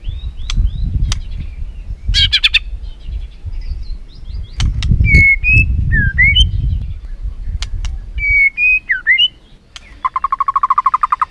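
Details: Song of the white-rumped shama as a lure to excite a caged bird: scattered chips and a harsh burst, then varied slurred whistles and a fast rattling trill at the end, over low rumbling noise.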